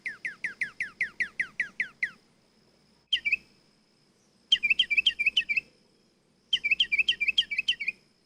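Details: Singing nightingale delivers a steady run of about ten downslurred whistled notes at an even pace, then after pauses several short, dense phrases of sharp, rattling repeated notes.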